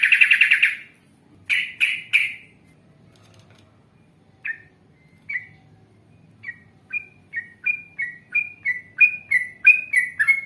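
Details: Yellow-vented bulbul in a lively, vigorous style with long trills and drawn-out phrases: several loud, harsh, buzzy bursts open the passage, then after a pause a lengthening series of short clear whistled notes speeds up and grows stronger.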